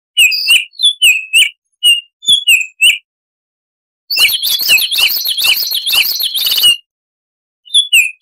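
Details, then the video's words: Baltimore oriole singing clear whistled notes near two to three kilohertz in short separate bursts, then a dense harsh chattering rattle lasting about three seconds, and finally a few more whistles. No other sounds are heard. "Suara Tembakan Unik Burung "Baltimore Oriole""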